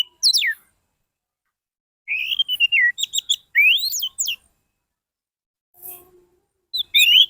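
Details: Orange-headed thrush lure song for getting silent birds to sing: a descending whistled slur, then a long varied phrase of sliding whistles and chattery notes, a pause, and another rising whistle at the end.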